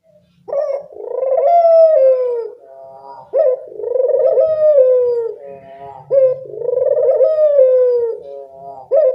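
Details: Barbary dove, an active caller, used as a training sound for reluctant doves: three swelling coos, each rising then sliding down over about two seconds, repeated roughly every three seconds, with short soft notes between.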